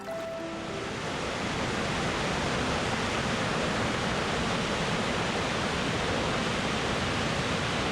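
A brief musical tone fades out at the start. A dense, even rushing roar like a waterfall or surf then fills the rest, with no animal voices.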